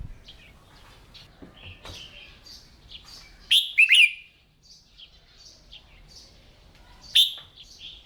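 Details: Red-whiskered bulbul at morning singing practice, a keeper's bird being trained to sing. Two short loud whistled phrases of slurred notes stand out over faint scattered chirping and twittering in the background.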